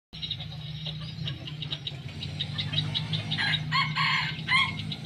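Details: A wild red junglefowl kept for a year gives a short, clipped, harsh crow in broken bursts near the end, over a steady low mechanical hum.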